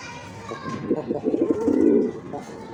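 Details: Black pigeon calling: one long, low, rolling coo that swells in the middle of the clip over a steady background hum.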